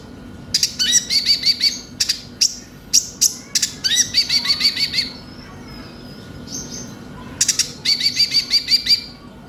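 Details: Van Hasselt's sunbird (konin), recorded as a lure for captive birds: repeated phrases of fast, thin, high-pitched twittering notes, each run several notes long, separated by brief pauses and clusters of sharp chips.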